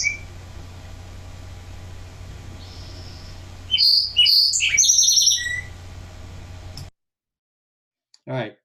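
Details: Male song sparrow in Washington, a permanent resident, singing to defend his territory: a few clear opening notes, then quick trills and buzzy phrases running together, dropping lower at the end, over a low hum.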